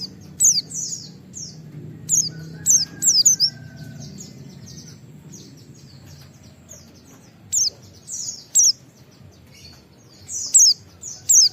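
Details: Wild white-eye giving short high whistled calls in scattered bursts of one to three notes, with long quiet gaps, used to provoke other white-eyes to answer; faint background hum.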